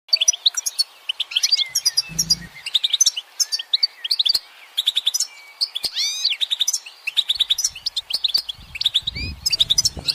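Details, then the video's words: Goldfinch perched on a branch in sunlight, singing a rapid, tinkling twitter of high notes with sweeping slurred phrases, brief pauses between bursts, and a few soft low knocks in the background. "Notes of Encouragement The goldfinch's motivational song"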